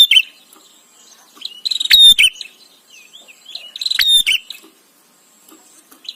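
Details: Bar-winged prinia, recorded as training material for white-rumped shama, giving two short bursts of clicking notes and high whistles, softer than nearby recordings, with faint twittering between bursts.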